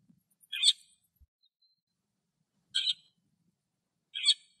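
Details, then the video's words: Lesser grey shrike song from Greek countryside: three brief, rasping, broadband chatter notes spaced roughly two seconds apart, separated by silence, with a faint low background hum. "Σταχτοκεφαλάς που Κελαηδάει - Lesser grey shrike Song"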